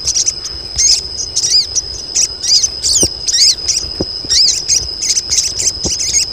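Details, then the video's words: Female crested jay colony calling for mates; rapid high chirps and curved squeaks pour out almost without pause over a thin steady high tone, with occasional soft clicks. "KOLONI SOGON BETINA || SOGON JANTAN LANGSUNG BUNYI"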